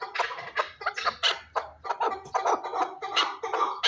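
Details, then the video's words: Chukar partridge from Shurobod giving loud raspy clucking notes in quick uneven succession, with a faint low thumping underneath. "Кабки Сураки Қавоқ"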